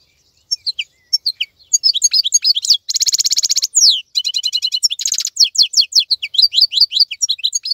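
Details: Wild European goldfinch, still singing actively in moult season: a continuous tumbling run of quick high chirps, twitters and two harsh buzzy trill bursts.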